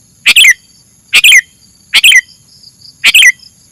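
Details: Sooty-headed bulbul from a masteran recording, sounding four rapid doubled chirps, crisp and slightly buzzy, each with a quick downward twist, evenly spaced over quiet background with a faint high hum.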